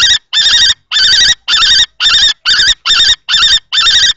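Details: Two male common kestrels clash over a nest box at Théding on 20 March 2024, one young and one adult. Nine drawn-out, wavering, whining notes repeat about twice a second, loud and close.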